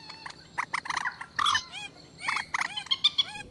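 Common moorhen giving a rapid series of harsh, croaking clucks and short upslurred notes, bunched in irregular bursts over a few seconds.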